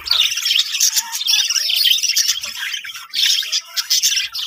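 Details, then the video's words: Colony of budgies chattering together: overlapping shrill chirps, squeaky warbles and buzzy notes fill the whole stretch, briefly quieter near the three-second mark before rising again. "budgies parrot colony setup"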